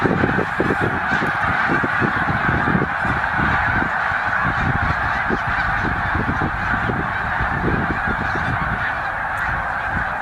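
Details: Huge migrating flock of snow geese, about 100,000, at Middle Creek wildlife refuge en route to breeding grounds: ceaseless chorus of high nasal honks blending into a constant din, individual calls popping out throughout.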